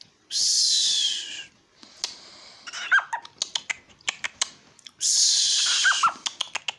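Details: A pet little owl chats back to a call, giving two long, harsh, hissing screeches about four seconds apart, with a run of sharp clicks between them.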